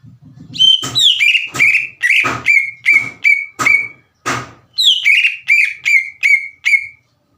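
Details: Energetic green leafbird singing to goad other leafbirds into replying: a rapid series of descending whistled notes mixed with sharp clicks and knocks, broken by a short gap.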